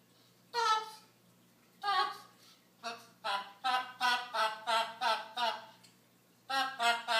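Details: Male pet blue-and-yellow macaw (Ara ararauna), which rarely performs on camera, babbles speech-like syllables in a nasal, harmonic voice as his version of singing, with a fast run of about ten rhythmic notes in the middle.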